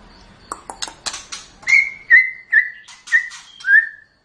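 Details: Champion white-rumped shama singing: a few sharp clicks and buzzy notes, then a run of five clear whistled notes, each sliding slightly downward, about half a second apart.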